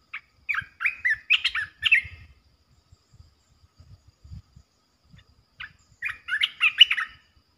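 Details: Two lively bursts of chattering, warbled notes from a resident red-eyed bulbul defending its patch, separated by a few seconds of near silence.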